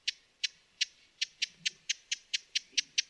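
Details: Short burst of dry, sharp chips from a broad-billed hummingbird, about a dozen notes in three seconds, spacing slightly irregular and speeding up toward the end.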